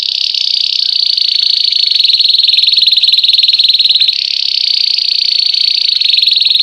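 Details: White Belgian canary singing a classic campainha-style song, used to train and warm up canaries after the moult: a loud, continuous, rapid high trill held steadily for over six seconds, stepping slightly higher near the four-second mark.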